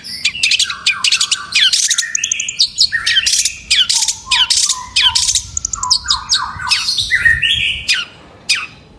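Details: Long-tailed shrike in full, active song: a dense, fast stream of varied chattering, scratchy notes and short whistles, almost without pause, with a weak low background hum.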